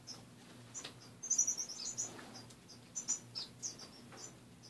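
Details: Several caged finches in the morning, cage partly bare of perches; short, high, thin chirps scattered irregularly, a brief cluster of sharper notes in the middle, with a low steady hum underneath.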